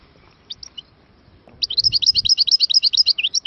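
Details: Algerian European goldfinch singing at Moknine in 2022: a few thin chirps, then a quick tinkling run of high twittered notes, about eight per second, bright and liquid, over a quiet background.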